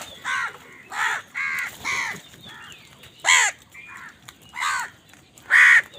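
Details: Crow fight over food: seven harsh, nasal caws at uneven intervals, four in quick succession, then louder single caws about every second, over faint background noise.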